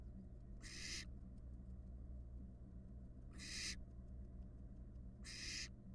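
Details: Barn owl fledglings in a nest box on a live cam in Florida, hatched from eggs laid in January 2022; three harsh, breathy hisses, each roughly half a second long, spaced about two seconds apart over low steady hum.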